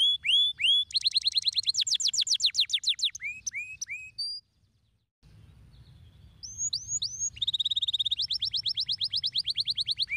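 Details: Stimulating canary song meant to rouse lazy canaries: rapid rolling trills of high downslurred notes, curved whistles, a short pause, then rising sweeps and a fast, even buzzy trill.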